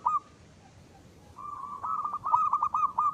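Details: Active local zebra dove giving its ngristal song: a single short coo, a pause, then one long purring phrase ending in rapid bubbling trills.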